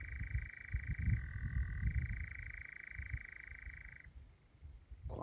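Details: Nightjar churring at night, a sound one would never guess came from a bird; a sustained mechanical churr that shifts pitch briefly and stops after about four seconds, over low rumbling noise.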